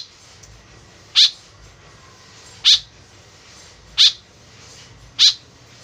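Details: Four abrupt, grating notes from a white-breasted woodswallow, a call used as a lure, spaced about one and a half seconds apart with a quiet backdrop.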